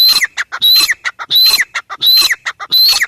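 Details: Teetar, or grey francolin, giving a rapid, regular series of shrill, strident phrases: a piercing high whistle sliding down into a rasping slur, returning roughly every 0.7 seconds amid quick staccato notes.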